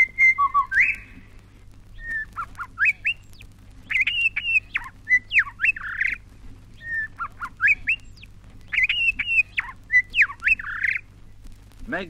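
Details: Australian magpie from a 1960s recording made in Australia: rich, fluting warbles and yodelling phrases of mixed pitch, given in bursts every few seconds over a low steady hum.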